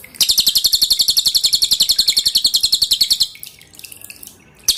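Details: A pin-striped tit-babbler delivers its loud, tight song, meant as a model for cage birds, against dripping water: about three seconds of fast, evenly spaced high chipping notes, then quieter background sounds.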